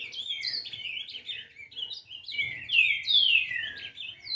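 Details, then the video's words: An 11-month-old brown-plumaged ultramarine grosbeak sings a rich, fast warbling song of sliding whistled notes, rising and falling, with low background rumble. "Azulão Pardo Com 11 Meses de idade Dando Um Show de Canto"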